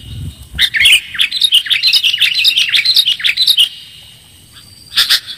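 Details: Sooty-headed bulbul lure sound: a fast, dense chatter of high, wavering chirps for about three seconds, followed by quiet and then one last burst.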